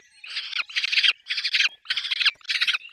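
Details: Peregrine falcon at a nest with chicks, giving loud, harsh, drawn-out rasping calls, about five bursts in three seconds, each roughly half a second long.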